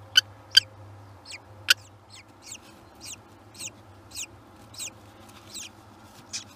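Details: Kestrel at its nest during nesting and the hatching of young: a run of sharp, high, harmonic calls, three loud ones early, then softer ones repeated about every half second, over a steady low hum.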